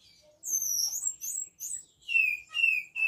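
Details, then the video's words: Very high, thin whistles from a caged Asian pied starling with Cililin-style imitations in its song, sliding downward in short separate phrases, ending on lower drawn-out whistles. "Suren gacor isian Cililin"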